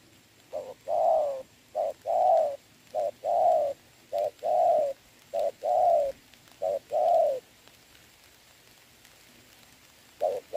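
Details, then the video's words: Trained decoy spotted dove cooing in rain against a wild rival, 26 November 2022. Six two-part coos, each a short note then a longer one, repeated roughly every 1.2 seconds, then a pause with rain hiss. "mưa mà e bổi gù tốt"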